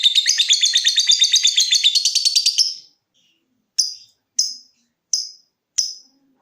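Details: Lovebird going from trill to tick: about two and a half seconds of fast, rattling, high trill, then four single sharp ticks spaced roughly half a second apart.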